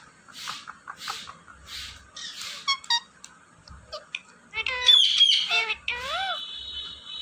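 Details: Talking parrot in a small room: soft breathy notes at first, then loud harsh squawks and a drawn-out, wavering nasal call that bends down and up near the end.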